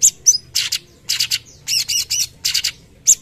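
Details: Cucak cungkok singing actively in the tembakan style, a master recording for tutoring: short harsh, buzzy high bursts in quick groups, some paired, with brief gaps and a faint low hum beneath.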